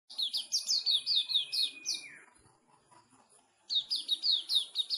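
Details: Sooty-headed bulbul singing at a songbird competition in Pemalang: rapid chattering bursts of high downslurred notes, then a long steady whistle that drops in pitch, a short pause, and the quick chatter returning.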